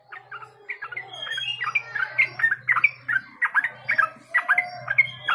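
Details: Yellow-vented bulbul, locally called trucuk or cerucuk, used as a warm-up lure: a chattering run of short bubbly notes and brief whistled slurs, repeated in quick bursts, with a low steady hum underneath.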